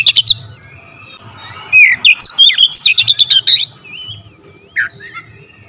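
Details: Oriental magpie-robin singing energetically in rapid-fire style with varied fill-ins: a short chirpy burst, then about two seconds of quick, sharp repeated notes and slurred whistles, ending with a few isolated squeaky calls.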